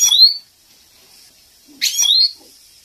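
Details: European goldfinch training recording for captive males, described as a female's excitement call: two short bursts of high, twittering chirps with rising sweeps, separated by more than a second of quiet.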